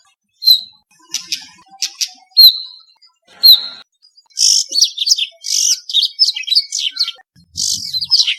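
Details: Brown rock chat, also called Indian chat, in Rajasthan, India: short whistled notes and ticks in quick succession, then a busier stretch of loud chattering, twittering phrases, with faint low rumbles near the end.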